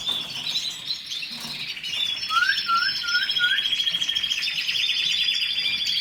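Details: Canary song of rapid high trills running without pause, with a short series of four lower rising whistled notes slipped in midway beneath the continuous rolling warble.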